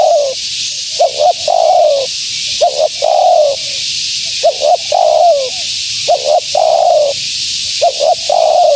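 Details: Female spotted dove call for luring wild doves: about five rhythmic phrases, each two short rising hoots and a longer falling coo, evenly repeated with a faint hiss behind.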